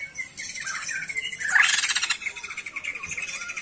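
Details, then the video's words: A sijambul songbird in full voice gives scratchy, squawking phrases with thin whistled strands. It swells to a loud rasping burst midway, then continues in quieter chattering notes. "SIJAMBUL GACOR...BURUNG NYENTRIK NAN EKSOTIK"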